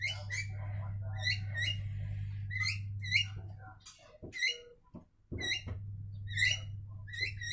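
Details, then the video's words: Mutual singing by Javan mynas, crisp upslurred whistled notes repeated in pairs and trios, interrupted by a few sharp clicks and a brief pause, with low background hum. "Jalak Kebo Saling Berkicau"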